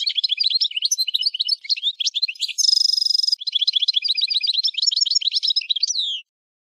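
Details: A goldfinch chatters continuously for about six seconds: fast, jingling, high-pitched twitters broken midway by a harsh buzzy section, then more tinkling notes ending on a downslurred note.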